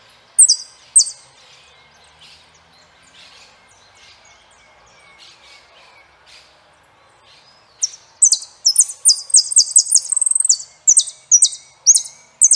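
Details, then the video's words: Saffron finch song: two loud high chirps, a quiet stretch of faint distant notes, then a dense burst of rapid, high down-slurred chirps and stuttered notes. "canto Jilguero Peregrino"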